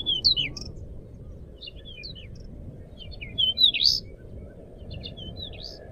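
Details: Vigorously singing Crescent-chested babbler, a lure and tutor recording: loud clusters of sharp, slurred high whistles at the start and near 3.5 seconds, scattered softer chirps between, with a steady low background hum.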